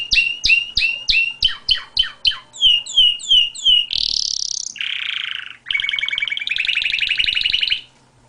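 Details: Canary singing a varied song: a run of repeated down-slurred whistled notes, a high rising buzzy sweep, a low rolling trill, then a long fast chattering trill.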